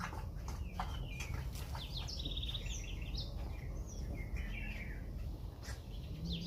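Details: Morning song of an ultramarine grosbeak, a few quick bright warbling whistled phrases in separate bursts over steady low-pitched background noise.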